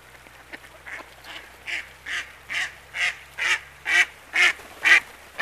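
Hooded Merganser giving a series of about ten harsh, nasal notes, two per second, growing steadily louder; a faint low hum underneath.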